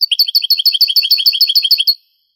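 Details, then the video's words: Granada-pattern song of a European goldfinch from an old Spanish tape of the 1980s–90s: one unbroken two-second string of about fifteen quick, bright, regularly repeated high notes, then quiet. "CANTO DEL JILGUERO"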